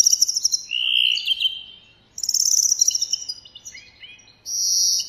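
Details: Greenfinch song outdoors: overlapping trills at several pitches, one low steady rattle and higher buzzy runs, suggesting more than one bird singing at once, ending in a sustained high trill.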